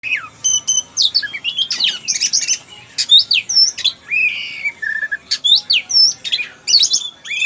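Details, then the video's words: White-rumped shama (kacer) singing vigorously: a fast varied stream of sharp high whistles, chips and sweeping slurred notes, bursts packed closely with barely a pause. "Burung Kacer Gacor!!! si hitam putih"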